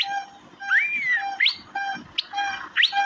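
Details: Asian fairy-bluebird (cucak biru) giving a long slurred whistle that rises and falls, followed by sharp upward chirps, over a steady banded humming tone underneath.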